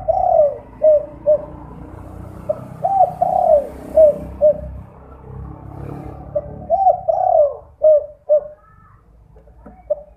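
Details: Spotted dove (derkuku) 'kuk 2' lure call at night for drawing answers from other doves; two phrases of hollow coos, each with a drawn-out descending coo and several short notes, over steady background hiss.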